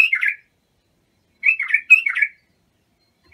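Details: Bulbul singing Abu Shuaib song meant for tutoring young bulbuls: a brief fluty phrase, a pause, then two linked warbled phrases of slurred descending whistles, clear against a silent background.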